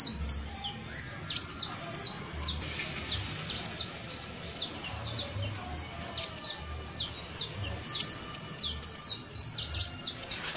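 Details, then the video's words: A saffron finch (Sicalis flaveola) sings a busy run of high, sharp chirps and short notes, several per second, with faint low rumbling underneath. "CANTO DE CANARIO CRIOLLO EJEMPLAR [SICALIS FLAVEOLA]"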